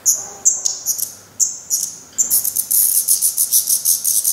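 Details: Black redstarts at a Portuguese nest, fledglings still fed by their parents though already trying first flights: a few high thin whistles, then a rapid run of hissy, shrill pulses repeated several times a second.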